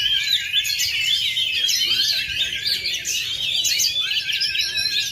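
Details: Kacer (Oriental magpie-robin) singing hard in a contest ring after 2.5 years without molting: continuous high, fast-changing whistles and chatters, some descending slurs, steady and loud.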